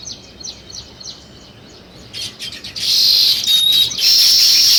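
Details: Weaver birds building a nest give short, high chirps about three times a second, then swell into a loud, dense, sizzling chatter from many birds together.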